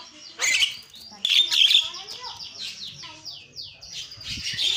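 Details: Asian pied starling singing a varied song: loud harsh, scratchy bursts mixed with quick descending whistled slurs and chattering notes, fairly continuous, with some faint background noise.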